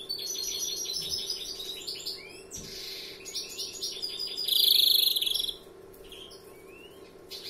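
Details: European greenfinch song: dense run of twittering, trilled high notes with quick repeated chips, a loud buzzy trilled stretch midway, then sparse fainter notes over a steady low hum.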